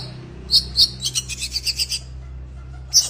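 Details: Oriental magpie-robin in breeding condition: two high sharp chirps, then a rapid run of bright, high-pitched notes, a short silence and a final piercing chirp, over a low steady hum.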